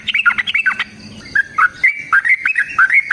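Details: Yellow-vented bulbul lure song, fighting style with long trill, to get caged birds answering: a quick burst of harsh, chattering notes, then clearer whistled phrases sliding up and down, with a faint low hum early on.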